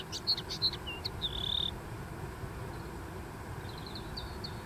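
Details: Common linnet in song on a dune, opening with a few sharp chirps and a sustained whistled note, then softer, quicker twitters trailing off against a low rumbling background.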